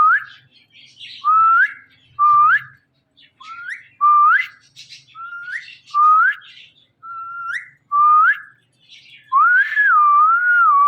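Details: Talking Indian ringneck parakeet kept as a pet, in mimicked speech: a steady series of whistled syllables, each starting low and gliding upward, repeated about every second or so, ending on a longer wavering phrase.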